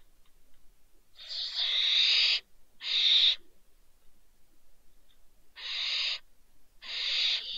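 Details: Two young barn owls (Tyto alba) that fell from a balcony, Riet Vell reserve, Ebro Delta, Spain, 27 December 2023, give four harsh, hissing screeches, each under a second, in two pairs separated by a few seconds of quiet.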